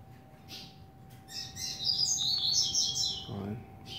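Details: Young home-kept double-collared seedeater, eight months old, delivering a bright burst of high twittering and trilled notes, rapid and slightly buzzy, followed by a brief spoken word.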